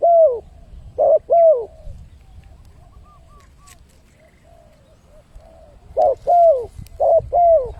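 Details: Spotted dove calling as a lure to draw in wild birds. Strong paired coos open and close the recording, a short note then a drawn-out descending one, with softer distant cooing in the quiet middle stretch.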